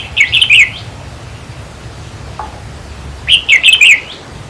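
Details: Two rapid, cheerful warbled phrases from a red-whiskered bulbul, each about half a second of four or five bubbly notes, separated by quiet. The song is used in decoy trapping to excite caged birds.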